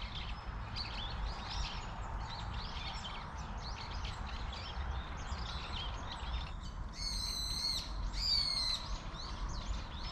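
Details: A flock of Eurasian tree sparrows gathered in a persimmon tree in Korea keeps up a busy chatter of short, high chirps, two louder ringing chirps standing out near the end over a low background rumble.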